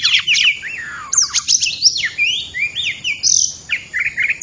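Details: Oriental magpie-robin song used as a trapping lure: varied sweet whistles, with sweeping slurs rising and falling, quick downward strokes and short warbled notes delivered almost without pause.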